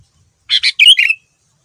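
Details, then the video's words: Male sooty-headed bulbul in full, lively song used as a lure to draw other bulbuls to answer. One short bubbly phrase: two quick chirps, then a warbled liquid flourish ending in a brief trailing whistle. The background is quiet. "Kutilang Super Gacor Full Isian Mahal, Semua Burung Kutilang Ikut Nyaut dengan pancingan ini"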